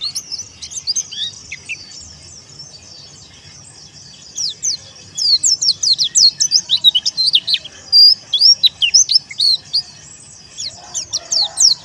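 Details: Dakun wilis white-eye calling rivals in the teler song style. A sparse opening of high chirps swells after four seconds into dense bursts of rapid, sharply sliding twitters, with short pauses between bursts.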